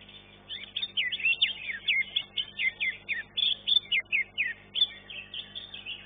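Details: Caged greater green leafbird (cucak ijo) competing in a song contest: a lively sequence of clear, strongly accented whistled phrases, about four per second, with varied rising and falling notes.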